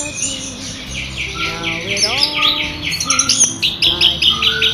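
Orange-headed thrush in a loud, clear rolling song: a rapid, varied stream of high chirps and twitters, with lower slurred whistles woven through.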